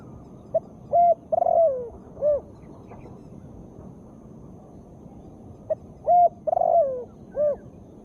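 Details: Female spotted dove cooing, a call used to stir lazy birds into singing: two phrases of soft hollow coos, each a few short notes ending in a longer drawn-out falling coo, separated by silence.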